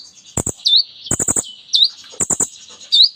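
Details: Kolibri ninja sunbird, vigorous mimicry song used to stimulate silent birds. Sharp high upslurred chirps alternate with short bursts of quick rattling clicks, repeating about every second.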